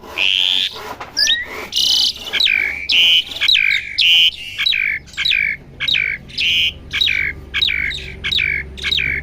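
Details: Asian pied starling being trained to learn sounds: loud, harsh, squawky notes with whistled tones, delivered as a run of repeated buzzy phrases about every half second, with little background noise.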